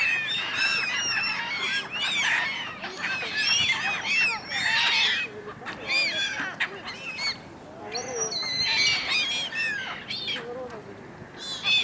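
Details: Large flock of gulls on the Dnipro River in Kyiv, Ukraine, squabbling in winter: a dense overlapping chorus of harsh, rising-and-falling squealing cries from many birds at once, continuous throughout.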